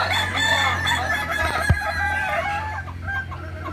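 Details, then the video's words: Kukuak Balenggek roosters at a crowing practice contest, Ampang Kualo, Kota Solok, May 2024: loud, layered crowing that fades toward the end, with one sharp thud midway and a low hum. "Latberan Ayam kukuak balenggek"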